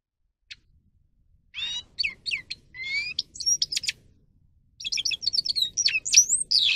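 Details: Song of a grey-crowned goldfinch for teaching birds to sing: a single chip, then twittering phrases with upslurred whistles and sharp high notes, a short pause, and another lively, jangling sequence.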